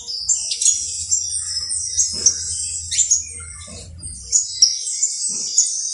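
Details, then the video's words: Saffron finch, known locally as canario basto criollo, singing: bright high chirps and trilled phrases in bursts every second or so, with a faint low hum underneath. "UN CANTO INCREIBLE DE CANARIO BASTO CRIOLLO"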